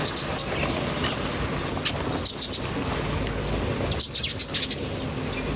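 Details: Wild birds chirping outdoors in nature: short bright chirps in bursts near 0.3, 2.3 and 4–4.7 seconds over a steady low rumble of background noise.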